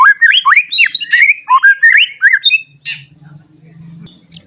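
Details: Vigorous white-rumped shama song meant to stir young and adult shamas into singing: rapid, varied whistled phrases with swooping upslurs and chattering notes, ending in a buzzy burst and a faint low hum.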